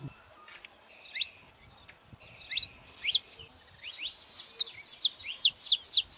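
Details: A female and a male saffron finch: scattered sharp high chirps at first, some with a thin buzzy tone, then a fast, dense burst of bright downslurred notes near the end.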